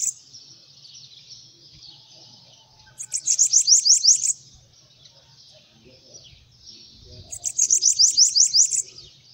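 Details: Bananaquit singing while perched on a person's hand: two high, thin, buzzy bursts of rapid repeated notes, each about one and a half seconds long, separated by quiet with faint low background murmur.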